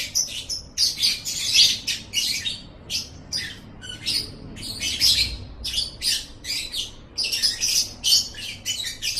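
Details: Lovebird song used as a training recording for pet birds: rapid, scratchy, high-pitched chattering in dense bursts, with sharp squeaky notes repeated almost without pause over a faint low background hum.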